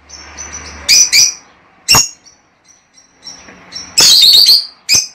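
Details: Lovebird sounds meant to encourage mating: short shrill chirps and sharp isolated squawks separated by quiet gaps, ending in a longer, loud, harsh chattering burst and one final squeak.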